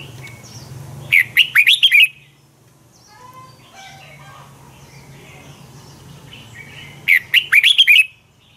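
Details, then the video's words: Red-whiskered bulbul fighting song for training birds: two loud phrases of rapid, looping warbled notes about six seconds apart, with softer distant bird notes and a low hum in between. "Luyện chào mào hót sáng hay Dùng để thúc bổi căng hót, ép giọng rất hay, chào mào hót đấu"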